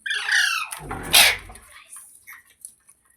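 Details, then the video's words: Green parrot squawking: a drawn-out harsh nasal squawk followed by a loud rustling noise burst, then a few soft faint chirps as the sound fades. "Green Parrot Talking | Funny Parrot Sounds Videos | मिट्ठू की आवाज़ | तोते की आवाज़"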